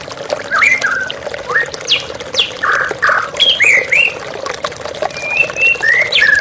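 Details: White-rumped shama in a therapy track: irregular whistled and squawky notes mixed with a few broad harsh bursts, then drawn-out steady whistles, with the hiss of flowing water beneath.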